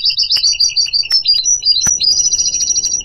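A goldfinch sings a fast, high, tinkling twitter of chirps and trills without pause, broken by a few sharp clicks.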